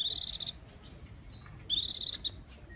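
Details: Japanese white-eye singing: a rapid, very high buzzy trill, then a run of thin sliding whistled notes, then a second quick pulsing trill, with soft background hiss.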